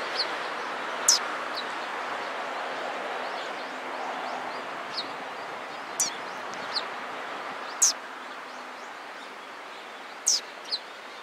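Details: Eurasian tree sparrows at a Tenmangū shrine in Japan, 17 October 2016: short, sharp, high chirps at irregular intervals, about five clear notes over eleven seconds, with a steady broad background hiss.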